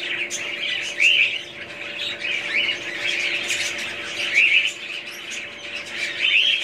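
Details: Budgerigars, described as wild parrots: short bright chirps and warbles recur every second or so over a constant chattering background of other birds, with a faint steady hum underneath.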